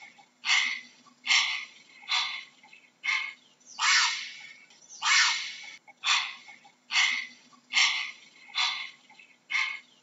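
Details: A heron calls repeatedly with eleven harsh, croaking squawks over ten seconds, spaced about a second apart, a few notes longer and louder than the rest, with a quiet background.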